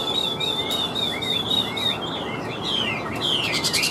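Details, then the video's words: Caged wild-caught Chinese hwamei with good wing and tail form, singing strongly: clear whistled phrases sliding between high and mid notes, run together in a continuous flowing stream. "Họa Mi Chơi Cánh, Đuôi Lá Vả - Hót Hét Tốt Giọng Căng"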